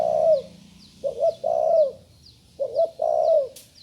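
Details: Fledgling-stage spotted dove practising its call: a long downward-sliding coo, then two phrases of two short rising coos and a drawn-out falling coo. Faint high chirps from another bird repeat in the background.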